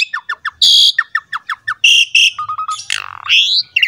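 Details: Lively Asian pied starling masteran song to prompt other starlings: series of descending chirps, loud buzzy blasts, short low whistles and a swooping rising whistle.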